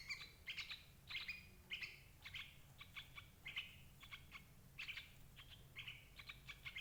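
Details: Lure recording of sooty-headed bulbul used to trap parent birds. Steady chain of crisp, slurred whistles, some doubled, about one to two per second, over low background rumble.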